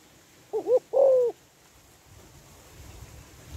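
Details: Spotted dove hen calling to stir males into response. One phrase of two short wavering notes and a longer held coo is followed by quiet with low background rumble.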